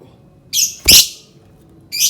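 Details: Lovebird sound meant to provoke other birds: three harsh, shrill screeches, the middle one loudest and rasping, separated by short silences.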